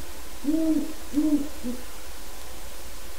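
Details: Distant, low hooting by a wild Great horned owl in the yard of a captive pair's enclosure: two or three soft hoots in the first half, then only steady low hum.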